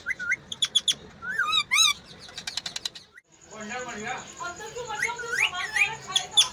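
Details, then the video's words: Parrot voice: rapid high chirps and squeaky whistled notes in quick bursts, a pause, then a busier stretch of warbling, chattering sounds with a steady high whine running through it. "parrot talking mithu"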